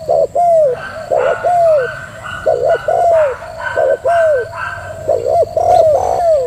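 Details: Female spotted dove giving a prompting coo (thúc gù): low, soft coos, each a short note followed by a longer arching, falling one, paired and repeated steadily, with a faint steady hum in the background.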